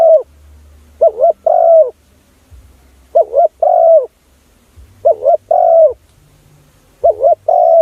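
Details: Spotted dove lure call for attracting other doves, with soft hooting coos grouped in pairs, a quick wobbling note then a drawn-out even coo, returning about every two seconds, with faint low rumbling between phrases.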